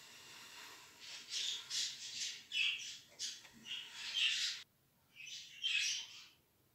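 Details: Budgerigar chicks being tamed early by getting used to the hand, indoors: a string of harsh, raspy squawks about every half second, then a short silence and one more rough squawk.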